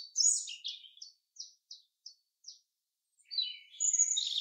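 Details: Forest chaffinch song: a bright, high opening burst, then a string of five short, clipped notes spaced evenly, a pause, and a loud, scratchy closing flourish.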